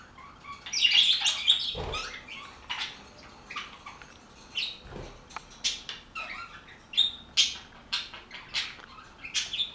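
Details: A flock of budgerigars keeps up rapid, high-pitched chatter of scratchy chirps and squawks, a loud warbling burst early on, then quick sharp notes about two or three per second.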